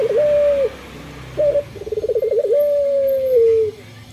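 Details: Male local Barbary dove singing on a morning. A long level coo is followed by a short clipped note, a fast pulsed trill, and then a long steady note that slowly drops in pitch.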